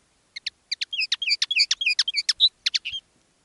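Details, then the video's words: Linnet used as a decoy bird singing live in one of two styles: a dense, fast sequence of sharp chirps and short slurred notes, quick and uneven, with near-silent background. "Canto del Pardillo"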